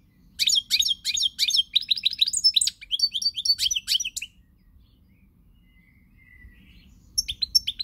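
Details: European goldfinch, pied form, in song on 20 March 2020: a long run of fast liquid twitters and tinkling trills, a quiet pause with a faint thin note, then twittering resumes.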